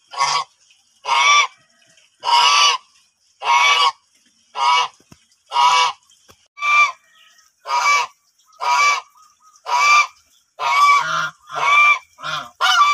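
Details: Domestic white geese honking loudly about once a second. The males' honks are hoarse and low, the females' clear and ringing, with brief quiet gaps between.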